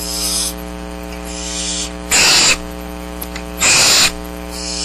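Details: Downy barn owl nestlings at Starr Ranch, seven in the brood, wait for parents to bring food while rain hampers hunting, March 6th, 2010; two loud breathy hissing screeches stand out from quieter hissing, with steady mains hum.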